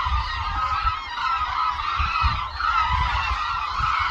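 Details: Dense flock of hooded cranes (Grus monacha) at Suncheon Bay wetland wintering site, flying in aerial display, giving overlapping bugling, trumpet-like flight calls without break over steady low wind rumble.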